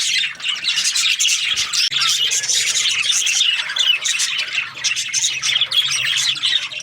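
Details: Chattering budgies, the Australian parrot, pour out overlapping high chirps, scratchy squawks and warbled notes without pause, while a soft low droning hum runs underneath at times.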